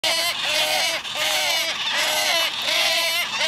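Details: Wood stork chicks begging their mother for food: a loud, nasal, goose-like chorus of harsh braying notes, overlapping and repeating more than once a second without pause.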